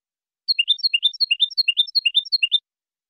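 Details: European goldfinch song for teaching young birds: a lively phrase of three or four tinkling, slightly buzzy notes repeated quickly about six times, then silence.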